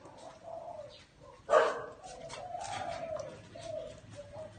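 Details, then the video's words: Spotted dove in a small garden giving faint, low coos. A sudden sharp knock or clatter interrupts midway, then a longer drawn-out coo follows, over background noise. "Tiếng Chim Cu Gáy"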